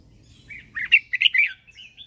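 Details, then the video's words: Captive red-whiskered bulbul used as a lure, giving morning song to stimulate birds and draw in wild ones: a quick burst of bright, warbling, slurred notes rising and falling, ending in a thin whistle. "Luyện giọng cho chào mào hót sáng căng lửa kích chim mộc hót siêu hay, Chào mào mồi hót gọi bổi"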